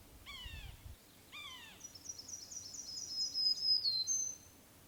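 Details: Black-throated Green Warbler giving a high, buzzy string of about six wheezy notes after two lower, downslurred calls from another bird, over faint rumble, on breeding territory in mixed deciduous-coniferous woods, Sax-Zim Bog, foggy morning of 24 May 2020.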